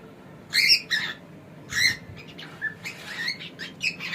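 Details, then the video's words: Male pet cockatiel calling in bursts of harsh, buzzy squawks, with several short chirps between the louder notes and a quiet indoor background. "This Cockatiel Has No Idea How Funny He Sounds!"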